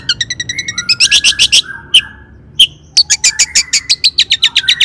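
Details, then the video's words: Long-tailed shrike in "toet toet" song, meant to set other shrikes singing: rapid ticking notes, a loud burst of harsh chips, a few isolated clear notes, then a steady fast series of sharp chirps. "PANCINGAN CENDET AGAR BUNYI"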